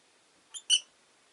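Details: Rosy-faced lovebird giving two short, bright chirps in quick succession, the second louder and sharper, against a quiet background.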